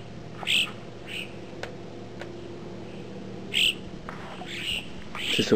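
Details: Western jackdaws on a March morning at La Rosière 1850 in the mountains; short, sharp, high calls given singly at irregular intervals, with a couple of faint clicks and a steady low hum in the background.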